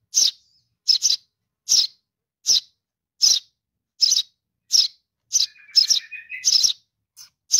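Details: Baby sparrow calling for its mother: sharp high chirps repeated roughly every 0.8 seconds, about ten in all, with a brief lower buzzy trill joining near the end.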